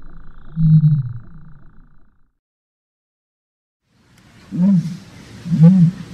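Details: Common ostrich: deep low booming hoots, one early and two more after a silent gap, each a short rounded rumble with faint higher overtones.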